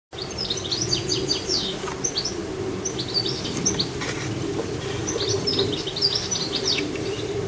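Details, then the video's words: Goldfinches in a garden producing a continuous, lively twittering of high, tinkling, rapid notes in bursts that rise and fall throughout, with a soft low background hum. "Goldfinches in my garden"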